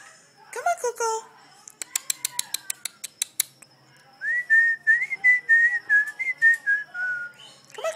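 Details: A pet female sulphur-crested cockatoo (Cacatua galerita), being silly, gives a burst of sharp clicks, then a run of wavering, pulsed mid-pitched whistles; a woman's voice is heard briefly at the start.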